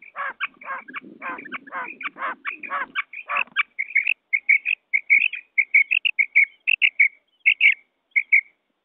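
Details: A quail, a batair, calls in fast, sharp repeated notes, harsh and buzzy at first, then short clipped whistles, with a low rumble under the first seconds. The recording is a cassette call used for quail hunting with nets.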